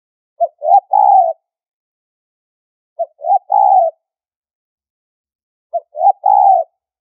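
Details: High-pitched spotted dove lure for trapping, with three steady phrases about every two and a half seconds. Each phrase is a brief note, a rising note and a drawn-out mellow coo, with no other sounds.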